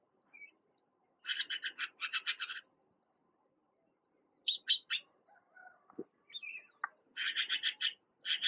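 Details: Young Red-billed blue magpies, lately able to fly, visited by a parent that feeds them in Uttarakhand, India; rasping buzzy calls in quick repeated series, with a few thinner whistled notes between bursts.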